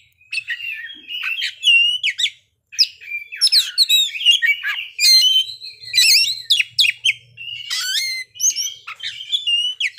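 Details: Oriental magpie-robin (kacer) pouring out its varied fill-in repertoire: high piercing whistles, clicks and trills in rapid succession, one short silence near the start, and a low background hum partway through.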